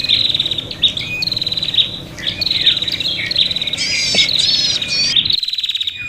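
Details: Fighting prinias, recorded as a lure: rapid pulsed high trills repeated in runs, with warbled chirps layered on top, ending abruptly near the close.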